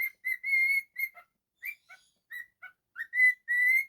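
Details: Indoor cockatiel whistling: long, steady, flute-like tones alternating with short chirps and gaps, ending on two sustained whistled notes, nothing else audible.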